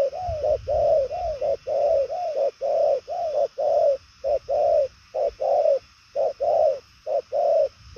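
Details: Spotted dove, called 'đồng son chân tím', cooing at a brisk pace. Short, mellow, low hoots repeat about once per second in uneven clusters, some pauses longer, with faint low rumbling beneath.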